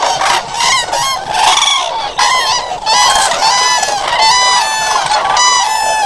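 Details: Chorus of common cranes: rapid, overlapping trumpeting notes, roughly one new call every second or less, loud and harmonically rich, forming a noisy, continuous clamour.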